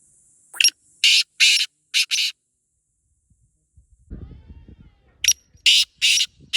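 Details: Wild black francolin (Teetar) in Pakistan repeating its grating call: a click and four loud rasping bursts, heard twice, with a low rumbling noise in the pause between phrases.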